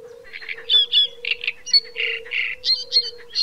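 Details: Great reed warbler singing: harsh, croaking and chattering notes in quick, uneven phrases, some rasping and low, others higher and squeaky, about four a second, over a steady low hum.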